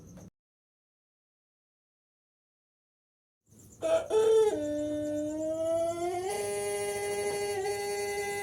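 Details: Six-month-old Pelung rooster still developing its crow: after a silence, a long drawn-out tonal crow that steps down in pitch, then holds steady and slightly rising for several seconds, with a faint steady high hum behind.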